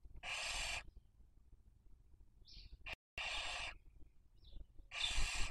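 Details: Barn owl raising young at a nest webcam, Cabañeros National Park, Castilla-La Mancha, Spain, 2023 breeding season: three spaced, harsh hissing screeches about two seconds apart, with faint chirps in the quiet gaps.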